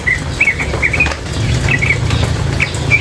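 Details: Female sooty-headed bulbul with flowing water: brief bright chirped notes in small clusters, spaced irregularly, over a constant low rush of water.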